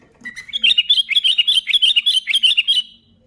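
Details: Sooty-headed bulbul in full song, played to stir other bulbuls into singing: a fast, lively chatter of about twenty bright, bouncing notes packed into under three seconds.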